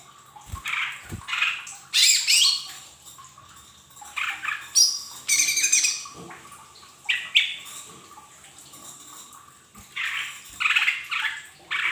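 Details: Lesser green leafbird song for stimulating caged birds to sing: repeated bursts of scratchy, buzzy warbling separated by short pauses, mixing harsh chatter with thin higher notes, and a couple of low thumps early on.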